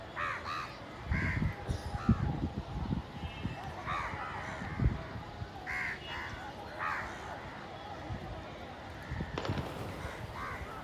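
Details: A group of hungry village crows fights for food; rough caws come in clusters alongside low thuds and scuffling sounds, with a steady outdoor hum beneath.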